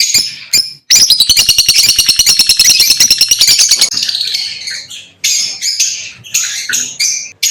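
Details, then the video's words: Lovebird chirping: after a short pause, a long rapid train of shrill pulsed chirps, then looser squeaky, squawking phrases with small gaps. "লাভবার্ড পাখির ডাক - LoveBirds Chirping Sounds - Lovebird Sounds Singing"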